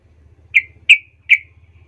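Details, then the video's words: Yellow-vented bulbul lure sound, meant to provoke other bulbuls: three crisp, sharp chirps roughly 0.4 seconds apart over a steady low mechanical hum. "nggak sampai 10 detik trucukmu Bakal ngamuk Naik darah ramai mendengar pancingan trucukan ini"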